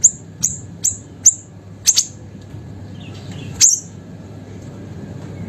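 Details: Small siri-siri songbird singing as a training master for other songbirds: a short series of thin, very high chirps about every half second, then a pause, a softer low whistle and one last sharp chirp.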